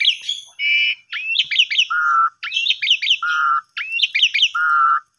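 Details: Asian pied starling song for coaxing silent or sulking birds into singing; rhythmic phrases of rapid downslurred whistles closing with a level fluty note, repeated about every one and a half seconds.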